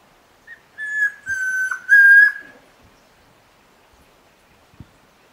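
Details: At Alto San Miguel, a Chestnut-crowned antpitta sings a short lead-in then three level whistles, brief first and longer later ones, followed by near silence broken by a few faint clicks.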